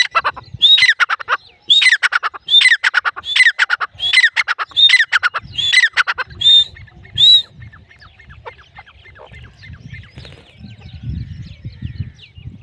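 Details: Grey francolin calling: loud, shrill, rising whistled phrases repeated in a rapid series, about one every 0.7 seconds for roughly seven seconds. After that comes quieter faint chatter and low rumbling background noise.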